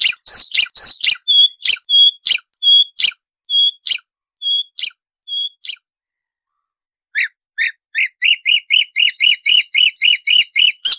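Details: Marsh warbler song from a noise-free recording for training songbirds: a run of repeated clear whistled notes with sharp clicks, a pause, then a fast evenly spaced series of bright repeated chirps.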